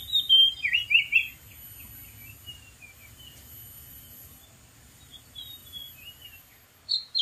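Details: Wild Oriental magpie-robin singing from a dead tree: a quick burst of bright warbled, slurred whistles at the start, then soft scattered notes and a final short loud phrase; continuous thin insect buzz in the background.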